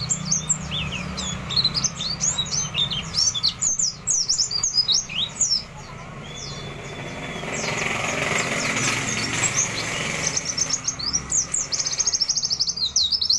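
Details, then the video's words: A gathering of forest-caught white-eyes prepared for a singing contest chatter together in a busy stream of high chirps and short trills, with several birds overlapping and a soft rushing background. "Pleci siap GANTANG , kumpulan pleci ngalas fighter"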